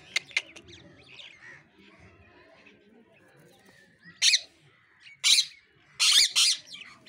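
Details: Pet parrot, shown talking: a quiet stretch of faint chatter, then three loud, harsh, high-pitched bursts about a second apart, the last one doubled.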